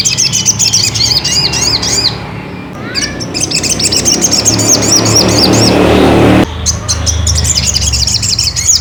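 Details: Ruby-cheeked sunbird song meant to provoke another bird to sing: rapid series of high, arching chirps repeated several times a second. A noisy gap breaks the series midway, with a constant low rumble behind.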